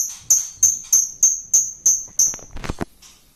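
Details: Lovebird, a lure recording of long chattering song (ngekek): very high piercing notes struck in a steady run about three times a second, then a few lower rattling clicks as it fades.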